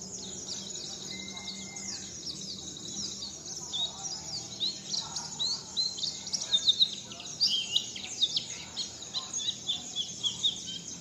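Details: Dense high chirping and trills from a bird learning the "wit wit zipeer" pattern, growing louder in rhythmic bursts toward the end, against a low electrical hum.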